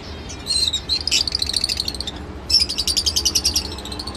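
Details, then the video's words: Lovebird chattering in strings of shrill, slightly wavering high notes, a short pause midway, then a rapid pulsed burst of buzzy chirps, all above a quiet low hum. "love bird sounds"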